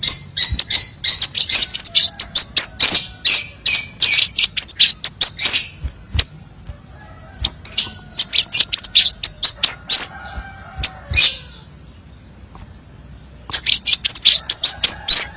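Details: Crimson sunbird, masteran-style song with many variations: dense runs of piercing high chirps and rattles for several seconds, a pause near the end, then another rapid burst. A soft low background hum.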